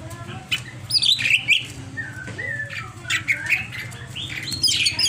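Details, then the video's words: Greater green leafbird singing in an agitated, over-excited state: bursts of varied high chirps, squeaky slurred notes and short trills in irregular phrases across five seconds, over a steady low background hum. "CIRI CUCAK IJO OVER EMOSI"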